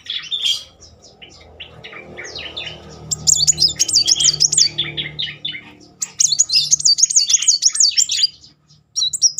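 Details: Van Hasselt's sunbird in rapid successive 'nembak' bursts, used as a lure to rouse young or silent sunbirds: high, thin chirps, then two long rippling, wavering trills, with a soft low hum beneath.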